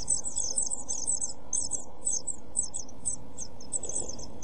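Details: Seven-day-old European pied flycatcher chicks begging inside a nest box, filmed by a nest box camera on 23 June 2012: rapid, high, thin chirps tumbling over each other in quick bursts, thinning out later, over a steady low electrical hum.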